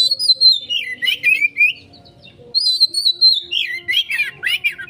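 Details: Lure singing from an Oriental magpie-robin, used to provoke a fast reply: descending whistled slurs and chattering trills in short bursts, with a brief pause midway, then looping high-to-low whistles. Faint low hum underneath.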